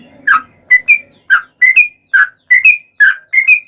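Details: Yellow-vented bulbul singing, the song played as a lure to set other bulbuls singing: short liquid notes in pairs, one dropping and one rising, about one phrase every half second, with a faint low hum at the start.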